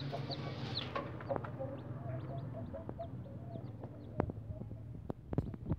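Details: Thai game chicken chicks peep in high, thin notes while the hen gives low clucks, as the chicks are being separated from their mother.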